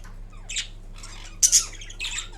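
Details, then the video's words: Pet green Indian ringneck parrot making sounds while napping indoors: a few short harsh squawky notes, one louder double burst midway, over a steady low electrical hum. "Kiwi Indian Ringneck Parrot Making Different Sounds While Napping"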